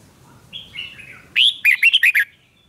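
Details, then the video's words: Red-whiskered bulbul in a singing duel: soft high warbled notes, then a loud burst of rapid bright chirping syllables lasting under a second. "Kích chào mào hót đấu"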